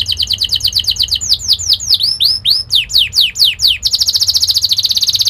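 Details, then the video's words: Canary training song meant to stir young canaries into rolling song: fast buzzy trill of repeated notes, then a run of high downward-curving whistled sweeps, ending in a dense rapid rolling trill. "Kenari gacor Speed Tajam cuit cuit NgeroL | pancingan kenari ini Sukses bikin kenari Ngerol EMOSI"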